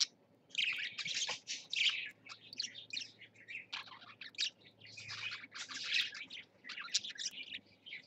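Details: Caged parakeets chatter in long, dense runs of high squeaky warbling, starting after a quiet second; a low steady hum runs beneath.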